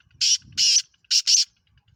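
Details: Four harsh, broadband rasps from a black francolin (Kala Teetar) of Pakistan kept by hobbyists, set as two pairs with a brief gap between them. Faint low knocking sounds lie beneath.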